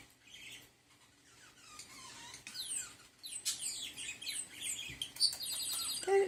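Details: Male pet budgerigar playing with a toy budgie and mimicking its whistle, chattering in a fast stream of high, scratchy chirps, warbles and short whistles.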